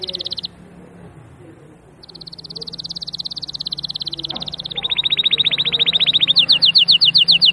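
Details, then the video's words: Canary delivering a short trill, a pause, then a long buzzy trill that drops slightly in pitch, followed by quick ringing downslurred notes at the close. "تغريد الكناري بصوت جميل"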